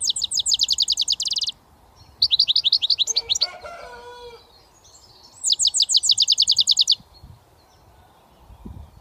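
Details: Young European goldfinch, British, in early whistling practice: three rapid, buzzy, high trills separated by pauses, with a brief lower warbling phrase in between and faint background hum.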